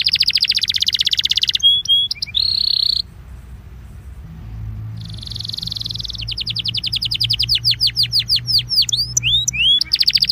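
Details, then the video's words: Belgian canary in an 'incarte' used to warm up canaries, opening with a fast high trill and buzzy notes, then near silence with faint hum before a rising sequence of rapid downslurred whistles and quick rattles. "INCARTE para esquentar canario belga"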